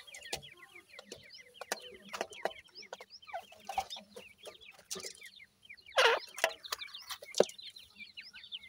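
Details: Several Iranian francolin chicks giving many brief, thin, upslurred peeps in a continuous chorus, with scattered loud clicks and a short burst of rustling noise midway.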